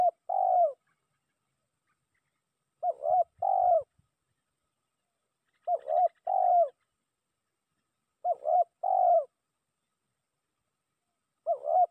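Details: A spotted dove lure call used to summon a rival: low, soft coos in short two- or three-note phrases, the last note drawn out, repeated every few seconds against silence.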